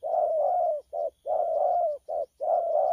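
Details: Spotted dove, a young wild-caught bird, cooing 'thổ pha' style on 12 October 2019: long husky low coos alternating with short clipped notes, almost continuous, no other sounds of note.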